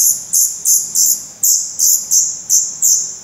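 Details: Black redstart chicks, eyes open, in a nest in Portugal on 16 May 2020, give sharp, very high hissing begging notes, about three each second, each burst quickly fading.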